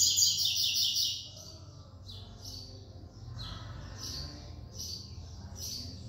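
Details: Caged double-collared seedeater (coleiro) from São Paulo, Brazil, singing in the 'encarte da 3ª nota' style. A loud, fast high trill of buzzy notes opens the phrase, then softer high chips repeat roughly every second over a low background hum.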